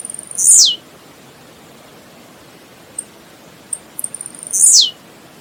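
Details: Blue-black grassquit song: two high buzzy descending notes about four seconds apart, separated by scattered soft high clicks, with a quiet background and no other birds.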